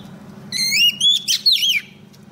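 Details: Female Oriental magpie-robin, a lure bird, singing to call a male: a loud whistled phrase rising from low to high, then a sweeping, warbling ending, with a steady low hum underneath.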